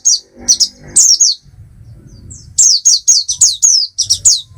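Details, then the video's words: Oriental white-eye (Zosterops palpebrosus) giving a fast string of high, thin, falling twitters, a few spaced notes first, then a dense run of evenly repeated chirps. "Oriental White Eye"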